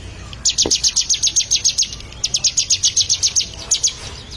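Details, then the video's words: Bar-winged prinia, the ciblek, being trained to sing: two long runs of high, rapid, metallic chips, nearly four a second, separated by a brief pause, with a short final burst. "Melatih Burung Ciblek Agar Gacor"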